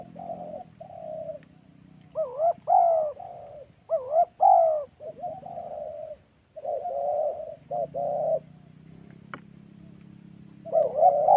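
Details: Fighting spotted doves in the forests of Vietnam's Central Highlands, a decoy trapping scene; clusters of rolling coos with sharp up-and-down inflections, broken by pauses and a single click, with a low background hum.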